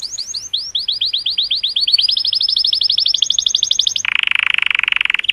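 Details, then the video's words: Vibrant colour canary singing joyfully for females, a long series of rapid rising slurs stepping higher in pitch, ending in a dense buzzy rattle. "Cheerful Color Canary Singing Joyously part 2 | تغريد كناري رائع، لتحفيز الإناث"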